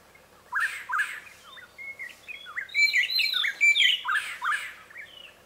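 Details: A black-headed gonolek in Ugandan savanna woodland gives harsh, churring notes mixed with sharp whistled phrases.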